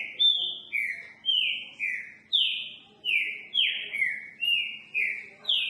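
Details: Note-repeating song of a green-winged saltator: strong whistled notes that slur downward, some rising first, repeated roughly twice a second in a lively series against a quiet background.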